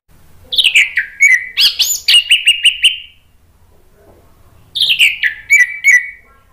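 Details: Male orange-headed thrush answering spontaneously, a lure song for prompting other birds: a bright descending whistle, then a run of quick repeated chattering notes. The same phrase returns after a three-second pause.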